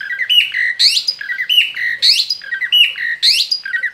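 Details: An outside-the-cage male Asian pied starling repeats one squawky phrase about every 0.6 seconds, each a rising harsh screech followed by lower whistled notes, in a steady, insistent rhythm.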